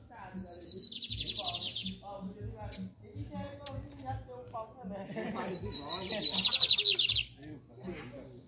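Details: Two song bursts from a lined seedeater, each a sharp thin whistle leading into a dense buzzy trill, about five seconds apart, with softer chirps and regular low thumps between. The torneado style is the comparison.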